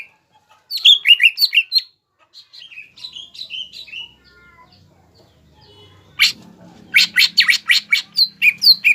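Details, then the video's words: Greater green leafbird singing actively to provoke rival birds: varied slurred whistles and chattering phrases, a quieter passage of falling notes, then a burst of sharp, high, clicking chips; faint low hum beneath. "CUCAK IJO GACOR MBESET MEMANCING EMOSI LAWAN AGAR JAMTROK DAN JAMBUL"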